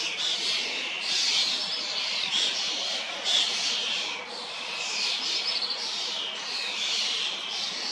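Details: Fledgling common starlings that recently left their nestboxes beg from feeding adults in a sweet cherry in Hrodna, western Belarus, early June 2025; a dense chorus of raspy, hissy screeches swells and fades in overlapping waves.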